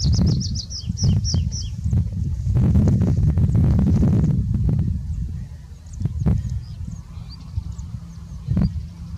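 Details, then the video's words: Tree pipit singing at Tagle opens with a quick run of high, thin repeated notes for about two seconds, then scattered faint notes, over heavy low wind rumble. "Bisbita arbóreo cantando"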